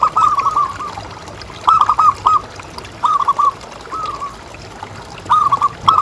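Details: Local zebra dove with a strong voice, kept as a pet, used as a calling lure for other doves. Five short cooing phrases, each a quick stutter of mellow notes closing on a held note, with soft background hiss.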